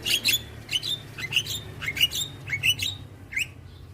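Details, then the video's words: Young white-eyed Javan myna calling as a lure for hybrid mynas, bobbing its head: a run of short, high, whistled chips repeated roughly every third of a second, then fading. "Jalak Kebo Mata Putih Masih Muda Sudah Rajin Bunyi Manggut2 Untuk Mancing Burung Jalak Hybrid"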